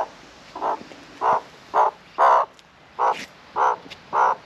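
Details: A cockatoo being given seed at afternoon feeding time gives loud, harsh squawks, seven in about four seconds, each a short grating burst at a steady pace.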